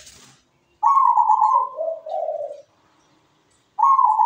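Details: Sweet-voiced zebra dove (perkutut) singing from its perch: a loud rolling trill stepping down into lower vibrating coos, followed by silence and the start of another trill.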